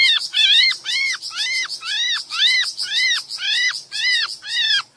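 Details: Breeding-condition sooty-headed bulbul, sound played to draw in small birds: evenly repeated harsh, arching notes with strong overtones, about two each second, while a fast, thin, high ticking runs continuously behind.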